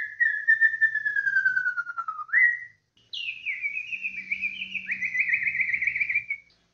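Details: White-rumped shama (murai batu) song: a long, slowly falling pure whistle ending in a sharp upward flick, then after a pause a warbling, wavering whistled phrase with rapid trills.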